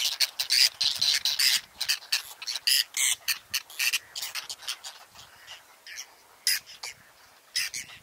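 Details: A whiskered tern colony on water chestnut and lotus in Russia's Astrakhan State Nature Reserve, 22 July 2017. Loud, rasping squawks arrive in quick clusters early on, then thin out to occasional grating cries.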